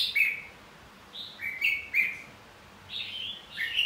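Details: Red-whiskered bulbul gives bright, liquid whistled phrases in short bursts, each sliding and warbling around a mid-high pitch, with brief pauses between. This is competitive song used to stimulate other bulbuls to sing.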